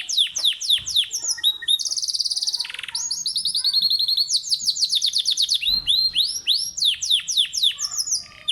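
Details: A domestic pet canary kept at home in Islamabad, Pakistan, sings in the early morning: a fast, continuous run of high, bright chirps and rolling trills, with rapid downward-sweeping notes and sustained buzzy rolls.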